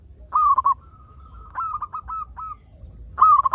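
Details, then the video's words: Local zebra dove (perkutut) kept as a lure bird, singing to make other zebra doves answer: bursts of rapid, bubbling, trilled coos at a mid pitch, joined by a long level note, repeated three times over faint low rumble. "Perkutut lokal gacor RAJA PIKAT ini ahlinya bikin semua burung perkutut gacor nyaut"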